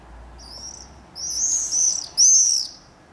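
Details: Screaming party of common swifts, two pairs nesting at a house in Beek Ubbergen, the Netherlands, July 22 2012; piercing high trilled screams in three bursts, the last loudest, over faint low background hum.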